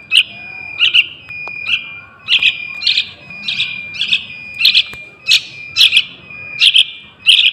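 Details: Young yellow-vented bulbul used as a lure for wild birds, giving short sharp chirps in uneven bursts roughly every half to one second, some doubled, over a faint steady high tone and quiet background.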